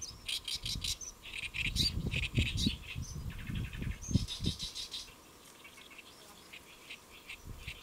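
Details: Great reed warbler on a lotus leaf at Saemangeum, Gimje, Jeollabuk-do, Republic of Korea, midday 1 July 2024; rapid chattering, grating notes over strong low rumbling for five seconds, then quieter harsh phrases.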